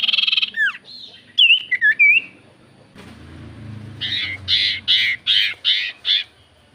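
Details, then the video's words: Common iora singing as a lure to make silent birds answer: rising and falling whistled slurs, then a run of six harsh buzzy pulses near the end, over a low background hum. "Pancingan Burung sirtu cipoh gacor Paling ampuh cipoh diam pasti Langsung nyaut"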